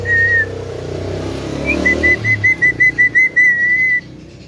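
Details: Male Javan myna said to be able to talk, giving a brief whistle, then a loud string of about ten evenly spaced clear whistled pips ending in one drawn-out tone.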